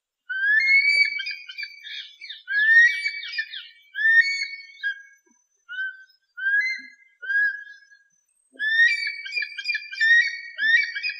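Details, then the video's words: Eagle giving a long series of high, thin whistled notes, each sliding upward then levelling off, delivered in bursts with short pauses between them, some notes doubled and chattering, with no other sounds heard. "SUARA MASTER BURUNG ELANG || eagle and its distinctive voice"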